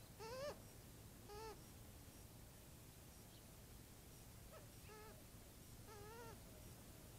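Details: A young Cooper's hawk at an early-morning watering hole in Tucson, Arizona, gives about five short, whiny, harmonic chirps that rise and waver, spaced irregularly, before its mother swoops in, over a low steady hum.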